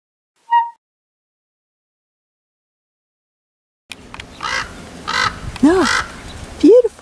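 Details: A common raven in San Fernando Valley, California, on 1 October 2024 gives one short, hoarse, mid-pitched croak, followed after a pause by a man speaking excitedly.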